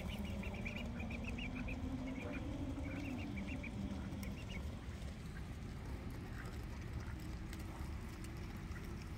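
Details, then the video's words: Little ducks calling while being fed: clusters of short, high peeping notes repeated quickly through the first half, then fading, over steady wind rumble and a low, sliding drone. "Feeding Happy Little Ducks"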